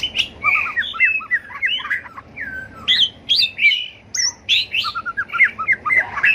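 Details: White-rumped shama, a fire-tailed bird, in competitive fighting song: loud, rich warbled phrases of fluty whistles, quick slurred notes and sharp upswept chirps, delivered in bursts with brief pauses, clear and close with faint room noise.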